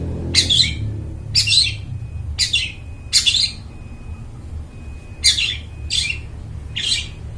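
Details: Long-tailed shrike giving clear, strong song for luring wild birds: seven harsh, buzzy bursts spaced about a second apart with short silences between, above a low background hum.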